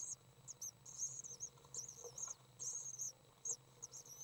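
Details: Feeding session of three young common swifts, May 30th 2012, with high, squeaky chirps run together into short buzzy strings, pausing briefly between groups, and a low background hum.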